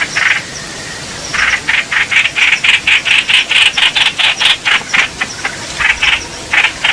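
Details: Bulbul calling for a mate, recorded 28 May 2021: harsh, rasping notes repeated about twice a second, with short breaks between bursts and a hissing background.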